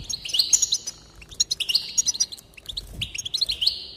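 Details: Goldfinch song with a lively jumble of high twitters, tinkling trills and drawn nasal notes in three phrases. A soft low thump is heard midway. The song is played to encourage other goldfinches to sing.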